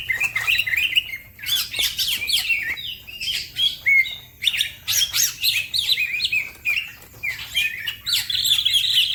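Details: Fast singing green leafbird, or cucak ijo, prompting other birds to sing: loud, jumbled chirps and short slurred whistles, mixed with harsh high bursts and a steady twittering toward the end.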